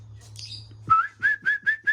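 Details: White-rumped shama of the Aceh type, recorded during pairing: a faint high squeak, then a series of four or five clear whistled notes at about four per second, over a steady low electrical hum.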